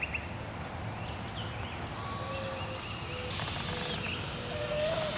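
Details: Young barred owl, one of two owlets fed by their mother at Devil's Den Campground at 7 am: a long, high, hissing screech starting sharply and rising slightly over three seconds, with soft chirps from other forest birds underneath.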